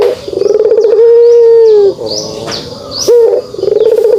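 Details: Rolling pulsed notes swell into a sustained low kugeruk coo from a pelung turtle dove, then a short drop and a fresh rolling phrase.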